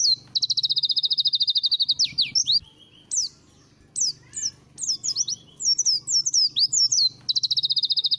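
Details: White-eye song for training: a fast rattling trill of repeated high notes, then varied swooping whistles, ending with another rapid trill.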